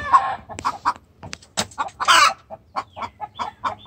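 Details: A hen calls the rooster in distress, mixing irregular clucks with a few loud, raspy squawks and sharp yelps.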